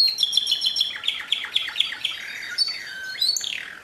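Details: Canary singing pure song, 2016: a series of quick dropping chirps over a thin whistle, followed by slow sliding notes and a rising sweep.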